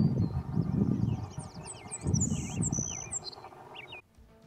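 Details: Savannah Sparrow calling in an open field after a walk through woods at Bender Park, Milwaukee, in May: thin, high, slurred chip and buzz notes in quick succession over steady low wind rumble, stopping abruptly near the end.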